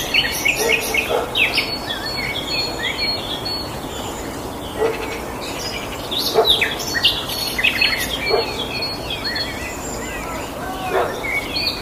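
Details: Several birds singing in a garden: a dense, continuous chorus of high chirps, short whistled notes and rapid twittering phrases that overlap throughout, with brief sharp ticking notes and a faint steady background hiss.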